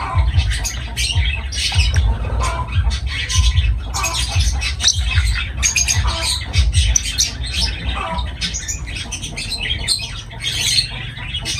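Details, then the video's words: Lovebirds chattering nonstop, a dense mix of harsh high squeaks and scratchy twitters, with a constant low background hum. "Love birds voice sound"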